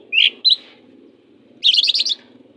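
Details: Oriental magpie-robin (kacer) song used as tutor for other kacer: two short bright whistled notes, then after a pause a rapid buzzy chattering burst lasting about half a second.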